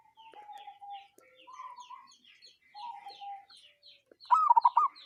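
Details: Strange call of a local zebra dove: soft, steady mid-pitched tones, then a loud, fast, bubbling burst of clipped notes near the end, with thin chirps from other small birds in the background.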